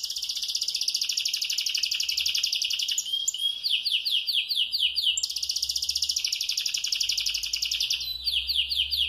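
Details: Canary singing continuously while moulting, said to sing all day: long high rolling trills of rapid repeated notes, switching between fast buzzy tours and sweeping slurred phrases, with no pause across the stretch.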